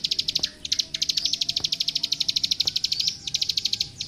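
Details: Plain prinia, known locally as klik klik, in a training recording for young birds: bursts of quick, bright, high clicks in a rattling series, interrupted by short gaps, over quiet background noise.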